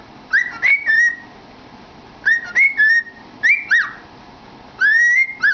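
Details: Pet cockatiel amusing itself with its head in a cardboard tube, whistling a repeated phrase of upslurred and level notes, then quick downward flicks, heard four times in a row.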